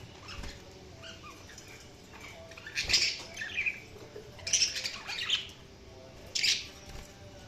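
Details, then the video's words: Budgerigars chirping: scattered short, scratchy high chirps in bursts of two or three every second or so, over a steady hiss of background noise. "Budgies Chirping sound"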